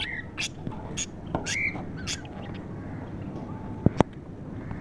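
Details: Captive budgerigars in an aviary setup chatter in short, scratchy chirps and warbles over a steady low background rumble.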